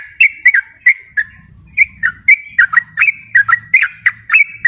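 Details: Sooty-headed bulbul song used as a lure to trap wild birds and to prompt reluctant caged birds to sing: a brisk run of short, bright whistled notes, some rising, some dipping, repeated several times a second, with a faint low rumble beneath.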